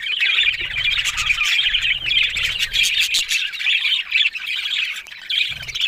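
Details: Budgies chattering nonstop, a dense mix of high warbling twitters and scratchy squawks running throughout, with brief low rumbling bursts in the background.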